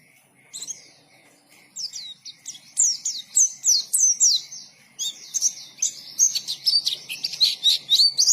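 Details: After a brief silence, a white-eye launches into vigorous song: fast, high, sweet twittering notes with sharp downward slurs, building into an unbroken rapid warble toward the end.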